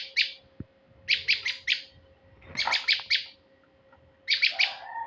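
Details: Male prinia, a luring recording: bursts of three to four rapid, scratchy high notes repeat about every second. A soft low noise and a brief lower tone follow the last burst, over a steady hum.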